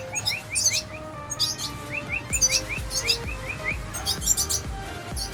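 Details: Young red siskins being fed, calling in clustered, high-pitched chirping bursts. They are mixed with repeated series of short upslurred notes, with quiet background music and low thumps.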